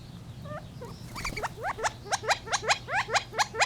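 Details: Gambel's quail starting with a few soft notes, then a steady rhythmic string of loud upslurred chirps, roughly two per second, against a faint low hum.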